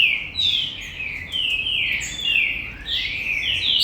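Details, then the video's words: Green-winged saltator song from a commercial breeding facility, song style named Gold Rush: loud continuous phrases of slurred whistles, sliding down and up, with brief gaps. "TRINCA FERRO GOLD RUSH"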